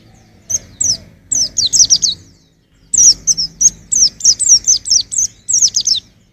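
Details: White-eye twittering for songbird training: scattered high chirps at first, then a lively run of a dozen rapid, falling notes lasting about three seconds.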